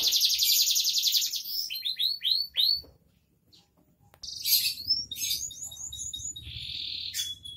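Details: Canary singing 'gacor dor': a fast loud trill, a series of falling slurred notes, a second of near silence, then renewed bursts, more falling slurs and a steady rolling trill, with low background hum.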